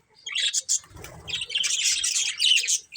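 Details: Breeding pair of budgerigars chirping: bright, scratchy twittered bursts, a quick pair of chirps early, then a longer rolling chatter with a short whistled note near the end.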